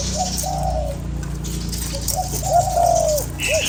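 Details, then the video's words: Spotted dove used to stimulate a lure bird, giving soft hooting coos: a short note, a longer drawn coo, then after a pause a louder long coo ending in a brief upward hoot, low background hum. "Cu gáy kích bổi"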